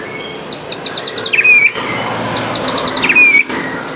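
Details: Murai Aceh (white-rumped shama) in full, abundant song: a quick series of high thin chips ends in a long, clear sliding whistle. The phrase plays twice against a steady background hiss.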